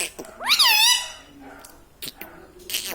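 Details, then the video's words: Pet Indian ringneck parakeet, a talking parrot, giving one loud, wavering, harmonic-rich vocalization that bends up and down for about half a second, followed by faint clicks and soft indoor noises. "Hasne Wala Tota || laughing mitthu || Talking Parrot"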